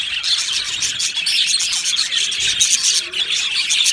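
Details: Australian budgies in a colony aviary singing, with rapid overlapping chirps and twittering plus several clear, short whistles repeated over the constant high chatter.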